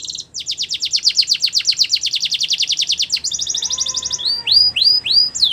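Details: Belgian canary training song for young birds: a long fast rattling trill of about three seconds, a quicker higher roll, then a few rising curved whistles with a faint lower whistle underneath.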